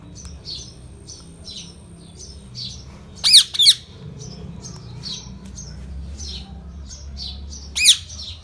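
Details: Indian ringneck parakeet kept as a pet bird: two loud, harsh squawk bursts come midway and near the end, with soft, quick chirps repeating throughout over a low background rumble.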